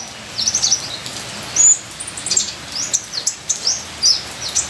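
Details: Ninja sunbird song of high, sharp chirps and quick whistled slurs, delivered in short separated bursts with brief pauses, over a constant soft hiss like falling rain.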